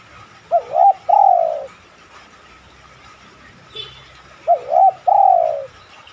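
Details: Lure coo of a spotted dove meant to make other doves respond and coo: two phrases roughly four seconds apart, each a quick wavering note then a longer slurred descending coo, quiet background with a faint click between.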